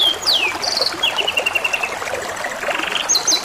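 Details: Canary song with running water: a sharp downward sweep, then an even chain of rapidly repeated bright notes and a softer buzzy roll before high chips.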